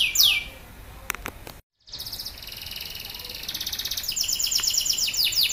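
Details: Male Atlantic canary singing loudly, used as a prompt to set silent canaries singing: high downward sweeps, then after a brief cut, rapid buzzy repeated trills that grow steadily louder toward the end.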